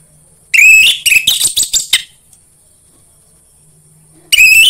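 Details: Anis merah, the orange-headed thrush, in a singing lure for birds at home: a loud phrase of whistles mixed with rasping notes, a pause of about two seconds, then another loud phrase beginning.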